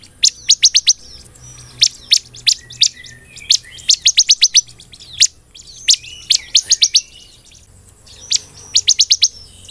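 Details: Energetic ciblek, or bar-winged prinia, sings the 'belalang emas' style. Short volleys of four to six piercing high chirps come in quick succession between short silences.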